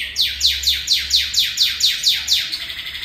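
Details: Northern cardinal imitating canary song: a steady run of about nine loud, clear whistles, each sliding steeply downward, repeated roughly every quarter second.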